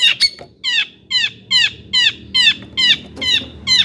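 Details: Long-tailed shrike song meant to provoke other shrikes: a steady series of rich, downward-slurred notes, a little more than two per second, after two sharp opening chips.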